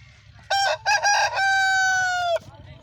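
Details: Crowing of an Aseel rooster, a Pakistani fighting-chicken breed: two clipped opening syllables and then a long, steady, slightly falling drawn-out note lasting about a second, with low rumbling noise underneath.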